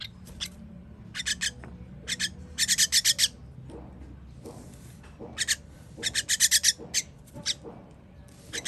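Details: Young birds being fed on 21.06.23 give harsh, high-pitched begging rasps in short rapid bursts, quieter passages between groups, faint low background rumble.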